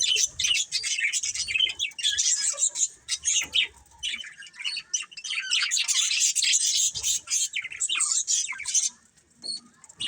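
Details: Colourful pet budgerigars chirping: dense, busy warbling of high scratchy chirps and squeaky notes, several birds overlapping almost continuously, with brief pauses near the end.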